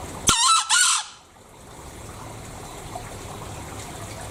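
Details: Green junglefowl recorded in Bali: a single coarse, split crow of two quick rasping bursts near the start, then quiet hissy ambience.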